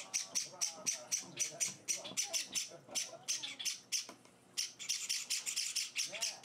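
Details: Java sparrow chicks being hand-fed beg in rapid, scratchy, high bursts that speed up toward the end after a brief lull. A person speaks softly throughout the feeding.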